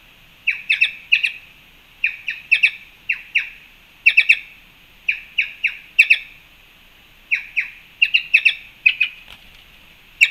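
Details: Several black-chested jays at a fruit feeder in Panama on 2 March 2021 give harsh, nasal squawks in quick bursts of two to four, repeated roughly every second against a quiet background.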